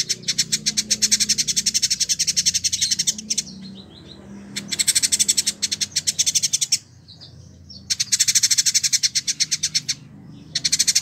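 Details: Repeated bouts of a rapid, dry, buzzy high trill, each a few seconds long with pauses between, from a Village indigobird kept for a year as a tutor bird in Bandung, West Java, Indonesia.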